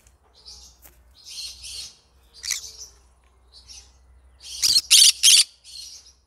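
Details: Yellow-sided green-cheeked conure singing: scattered high, harsh chirps and buzzy bursts, quiet at first, then a loud run of three rasping notes near the five-second mark followed by a softer chirp.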